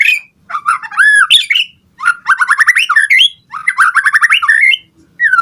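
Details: White-rumped shama song aimed at making other shamas answer: clear rising whistles followed by fast runs of repeated rising notes, in three bursts with short pauses.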